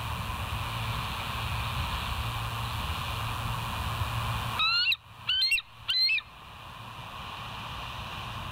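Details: Bald eagle on a live nest camera at West End, 06:55 on 21 September 2023; three loud, shrill, rising squeals in close succession midway, framed by steady low hum.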